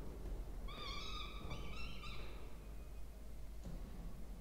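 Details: Two Peregrine falcon chicks in a university water-tower nest box, Orange, New South Wales, during a feed on 20 October 2024; three linked nasal whines in quick succession, then quiet with a single knock.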